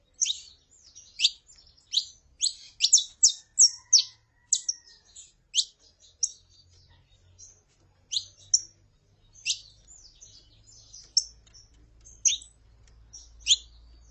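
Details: Saffron finch pair, the female calling and the male singing, played to excite a male. Sharp high chips and short twittering bursts sound at uneven intervals, with a faint low hum rising in the background toward the end.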